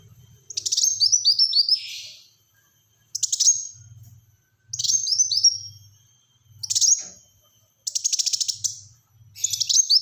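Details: Repeated short bursts of a black-throated sunbird in close-fire 'tembakan rapat' song for luring and tutoring birds: each phrase a sharp high note followed by quick descending whistles, some ending in a buzzy rattle, roughly every two seconds.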